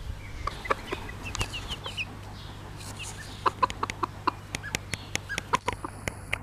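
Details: Pekin bantam hen, bobtail colour, tending her chicks: a steady run of short clucks at irregular spacing, mixed with high thin peeps from the chicks early on and sharp clicks.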